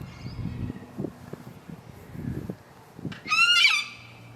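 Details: Wild Sulphur-crested Cockatoo in an Adelaide suburban park, South Australia, showing loud, playful antics. One harsh, ear-piercing screech rings out after three seconds of low rustling and rumbling background noise.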